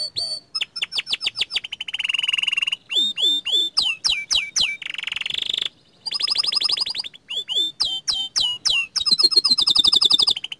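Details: Young canary, small standard type, singing steadily: alternating rapid rattling trills, flat buzzy rolls and looping down-slurred whistles, with brief pauses between phrases.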